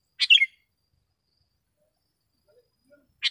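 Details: Sooty-headed bulbul in lively song, used for training caged birds and luring wild ones; a short, sharp cluster of clear chirps, then a long pause before another note begins at the end, with no other sounds.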